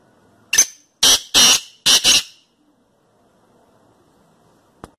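Black francolin giving a harsh, grating phrase of five loud rasping notes, a short one then four quick ones within under two seconds, followed by quiet.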